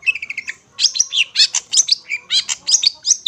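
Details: Master song of the long-tailed shrike for young hand-fed birds: opens with a fast run of even, repeated notes, then continues into squeaky, scratchy chatter with a few whistled accents.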